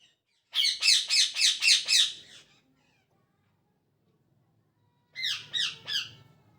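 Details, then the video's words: Morning parrot chirping: a fast run of six harsh, evenly spaced squawky notes, a pause, then three more slightly softer notes with a low background hum. "Parrot Chirping At Morning | Parrot Sound"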